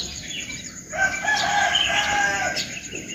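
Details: Morning bird chorus with high twittering notes, a rooster crowing loudly across the middle, and a steady high insect buzz in the background.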